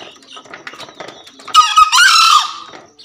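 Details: Male green junglefowl from Java crowing in full voice, a single short, hoarse, two-part burst late in the recording after quiet clicks and soft background tones.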